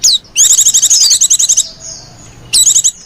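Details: A female white-eye calls in lenjeh manja style to draw in other white-eyes: a long rapid high-pitched trilling chatter of over a second, a brief pause, then another short trilled burst.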